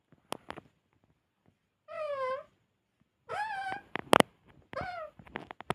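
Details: Talking parrot giving three drawn-out, harmonic vocal phrases amid scattered clicks and taps, one loud knock in between, indoors.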